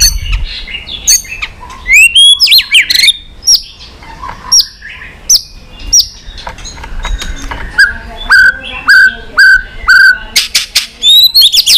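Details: White-rumped shama singing many-voiced training song: quick rising whistles and chips, a cluster of sweeping notes, then a steady series of short clear whistles about twice a second and sharp clicks.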